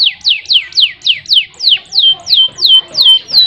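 A canary sings a fast tour of clear, high, down-slurred whistles, about three each second, evenly repeated against faint low background noise.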